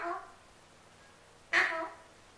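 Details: Male Alexandrine parrot kept as a pet, begging for his apple. The end of one squawk fades out, then after a pause comes a full harsh, buzzy screech with a ringing nasal tail.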